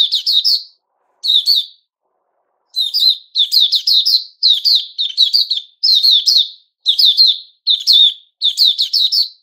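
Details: Male sooty-headed bulbul recorded on 10 July 2021, delivering quick clusters of sharp, sweet chirps in phrases about half a second long, gaps widening early then phrases coming steadily back to back.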